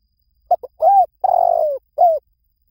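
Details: Spotted dove calling: a short cooing phrase of two quick clipped notes, then a longer throaty coo and a final falling coo, all low and mellow, with no other sounds.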